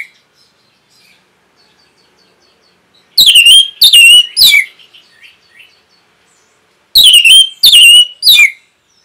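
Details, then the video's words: Orange-headed thrush song used as masteran for caged birds: after near silence, two loud groups of three high, sharp descending chirped notes, each group followed by soft faint twitters. "ANIS MERAH PASTI MENGIKUTI KICAUAN MASTERAN INI"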